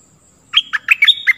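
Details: Stripe-throated bulbul song used to teach young birds and lure wild birds: a quick phrase of six or seven bubbly, rich whistled notes, rising and falling, in a quiet background.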